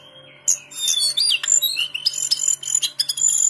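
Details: Lesser shortwing held in a Pekanbaru collection, known for its very melodious singing. A thin whistle opens, then a dense burst of high, rapid twittering and slurred notes follows. A faint low hum sits beneath.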